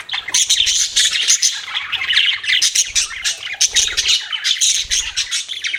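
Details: Budgies chattering nonstop, a busy mix of harsh squawks, rapid twitters and scratchy warbled notes from several birds at once, with soft low knocks in the background.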